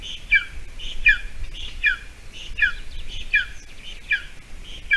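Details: At a Latvian golden eagle nest on a June 2020 morning, when the female returns with a mouse for the chick's breakfast: thin, high, descending squealing calls repeated about every 0.7 seconds over a quiet, low rumble.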